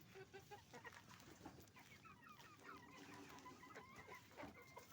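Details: Crowded chicken farm soundscape of roosters and hens, a steady murmur of many clucking birds blending into one another over low background rumble, with a few clearer rising notes.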